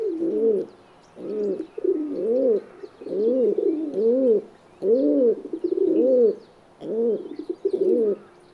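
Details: Feral pigeon, Columba livia, the tame city form living close to people, giving a run of deep rounded coos, each swelling and falling, about one every second with short pauses between.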